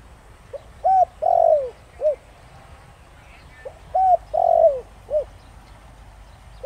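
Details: Spotted dove cooing in the Thổ Đồng voice style, used to provoke wild doves into answering: two deep phrases, each a soft pip, an arched coo, a long drawn descending croo and a short final coo, about three seconds apart.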